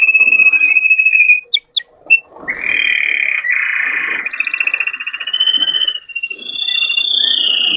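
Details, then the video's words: Male canary singing strongly to encourage pairs to breed. Loud continuous buzzy rolling trills and sustained whistled tours with overlapping high notes, with some low background noise. "تغريد هائج قوي لذكر كناري من أجل تحفيز أنثى وذكر الكناري على التزاوج"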